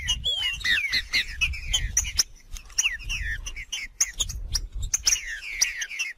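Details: Wild green-winged saltator in 'macheando' song, delivering quick clear whistles with curling, downslurred notes in busy bursts, accompanied by sharp clicking sounds and low background rumble.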